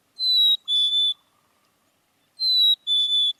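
A Black-capped Chickadee whistles its clear, smooth two-note song, a higher note sliding to a slightly lower one, given twice.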